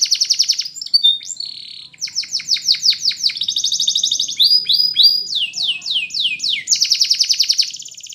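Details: Belgian canary singing a fast, varied song of rapid trills and rolling tours: buzzy high trills, runs of sharp descending chirps repeated several times a second, then a steady high rattle to the end; clean recording with no other sounds.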